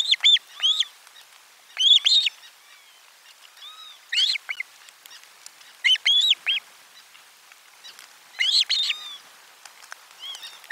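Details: Osprey at the nest during a lunchtime fish delivery, 12 July 2022, nest camera 4: bursts of two or three thin, high, down-curving chirps about every two seconds, with some quieter notes in between.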